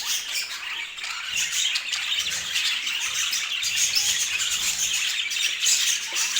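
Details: Constant chirping and warbling from several pet budgerigars, bright, twittering notes overlapping into an unbroken, lively chatter.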